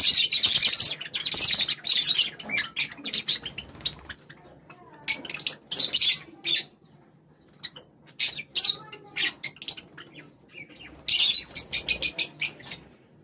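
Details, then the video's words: Flock of Java sparrows assembling at a call: repeated bursts of high, scratchy chattering, some stretching over a second, broken by brief quiet gaps, with scattered single chirps between. "At a call from the chief, all the birds gathered together | java birds sound | java sparrow sound"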